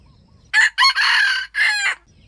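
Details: Wild junglefowl competing to crow while being trapped with a bait bird: one loud, rasping crow in four bursts, short, short, a long sustained note, then a slightly falling last note, over a near-silent background with faint rustling.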